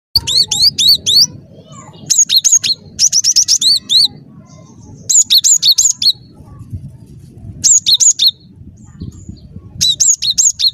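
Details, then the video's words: Cinereous tit singing in lively gacor style, a recording meant as a lure for trapping: bursts of four to six high, sharp two-part notes, each dropping then hooking upward, separated by short pauses over a low rumbling background. "Suara Burung Glatik Batu Gacor"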